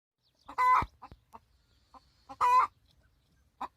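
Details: A hen screeching in complaint that her nest has been taken over: two loud, drawn-out nasal squawks about two seconds apart, with soft low clucks scattered between them.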